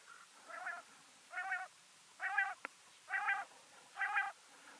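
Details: Female common quail calling: five nasal, harmonic-rich notes, each about a third of a second long, repeated steadily about once per second. A faint hiss sits behind them, and a single sharp click comes midway.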